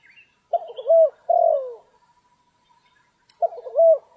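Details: Spotted dove during rainy stormy-day trapping, uttering a low hooted phrase: short broken note then longer falling coo, a pause, and the phrase starting again.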